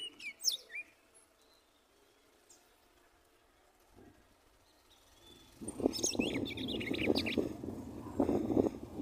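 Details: A female red-cowled cardinal, one year and two months old, sings while building her nest and pulling straw. A few high, quick chirps come first, then after a pause a burst of rapid twittering notes over loud rustling and thumping.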